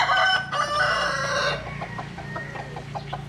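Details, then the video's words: Jap Cuban bantam chicken sunbathing, ending a loud, rich crow that holds steady for about one and a half seconds, followed by soft, quick clucking notes repeated at an uneven pace. "Gà Tre Jap Cuban Tắm Nắng. Gà Gáy/ Chicken Bamboo Jap Cuban Sunbathing. Crow"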